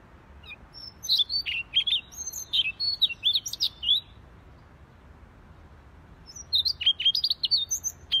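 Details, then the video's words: Gacor song of a Siberian rubythroat (si leher merah): a fast burst of high, varied whistles and twitters, then about two seconds of quiet, then a second lively burst of sharp chirps. "Siberian Rubythroat Gacor Si Leher Merah"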